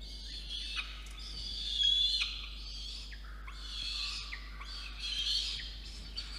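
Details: In Orange, New South Wales, Australia, a young peregrine falcon begs loudly while the male delivers food to its water-tower nest box on a November 2021 evening, 8:56 PM; drawn-out, grating screeches swell and fall in long insistent bursts.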